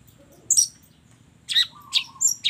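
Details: Long-tailed shrike singing a busy song full of mimicked phrases: sharp high chirps in short bursts spaced about half a second apart, with a thin, low, steady whistle drawn out between them.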